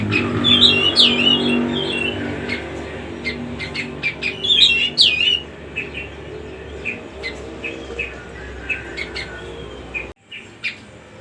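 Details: Cucak rumbai song as a lure for young birds: high twisting whistled phrases early on, then a long string of short sharp chirps, some low background hum.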